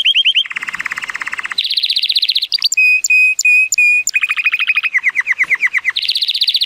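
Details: Timbrado Español canary, a male hatched in 2018 with an 83-point rating, sings on a sunny day. Varied rapid rolls at shifting pitches frame a run of five pure, spaced whistled notes, then further trills.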